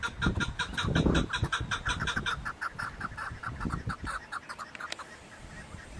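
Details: Chukar partridge uttering a rapid rhythmic series of clucking chuck notes that fades after about five seconds, with low rumbling noise and thumps throughout.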